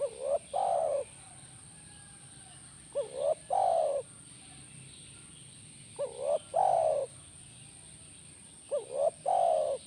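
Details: Spotted dove calling, played to make a caged dove answer: low, mellow two-part coos, a short note then a longer rolling one, repeated about every three seconds, with a steady high electronic whine behind.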